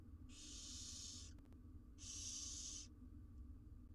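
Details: Wild barn owl chicks, four of them, in a research nest box in Israel awaiting their absent mother: two long rasping hisses, each about a second, separated by a brief gap with a few clicks.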